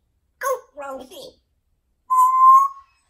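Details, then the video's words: Indoor pet female parrot known for talking utters a brief speech-like phrase of three syllables, then a steady, clear whistled tone lasting under a second, all in a quiet room. "Parrots Talking Funny Videos"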